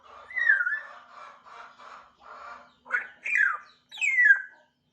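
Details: African grey parrot in the early stage of chirping, a falling whistle followed by soft grumbling notes, then harsh squawks and a final loud downslurred whistle.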